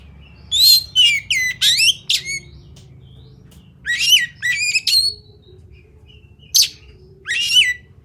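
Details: Fighting-style kacer, or Oriental magpie-robin: rapid clusters of harsh rasping notes mixed with rising whistles, in three bursts over eight seconds with short silent gaps between them.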